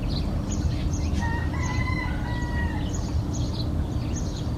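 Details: Roosters at dawn in a village, recorded outdoors in open air: a drawn-out crow with stepped, slightly rising tones in the middle, over constant loud low rumble and scattered high chirps of other birds.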